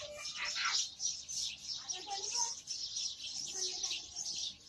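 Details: Several house sparrows chattering together in a dense, continuous flurry of high, sharp chirps, with a faint murmur of voices underneath.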